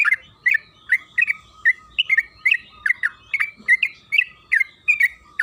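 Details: Lively yellow-vented bulbul song used as a lure so the bird starts singing: a steady stream of chattering, slurred notes, several per second, each a quick up-and-down twist, against a faint constant tone.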